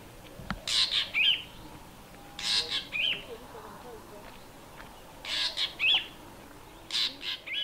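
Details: At dawn, still half dark well before sunrise, a Fork-tailed Drongo woken by a noisy, spooked flock of Hadedas mimics a Dark-capped Bulbul's alarm call: harsh, scratchy bursts with a sharp note in each, in four groups every one to two seconds, over quiet hiss.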